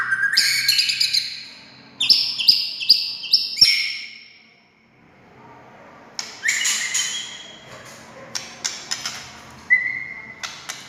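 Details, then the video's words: White-rumped shama song meant to make other shamas sing: bursts of high, harsh, rapid notes separated by a pause, then scattered chirps and one clear level whistle near the end. "SUARA kicau MURAI INI Buat semua jenis murai gacor,buat Murai DIAM Langsung NYAUT"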